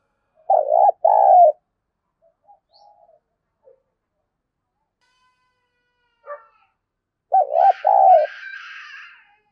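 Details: Spotted dove calling as a lure, 'thúc bổi' style. Two paired coo phrases come about seven seconds apart with scattered small sounds between them, and a brief, higher, noisy rustle overlaps the later phrase.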